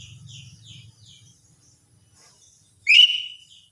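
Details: Lesser green leafbird (cucak ijo mini) in its morning routine: soft faint chirps at first, then after a quiet gap one strong whistle rising steeply into a held, level note.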